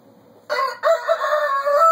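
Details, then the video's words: Domestic chickens kept by the owner: a loud, harmonic, drawn-out crowing call begins after half a second of quiet, breaks briefly, then carries on steadily to the end. "just to listen to my chickens"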